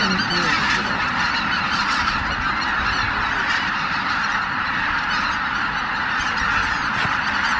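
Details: Greater white-fronted geese, more than 83,000, leaving their roost at Miyajima-numa, Japan, shortly after 4 am on 23 April 2017 in poor weather, filmed on a Canon PowerShot SX710HS; a dense, unbroken wall of overlapping honks and yelps.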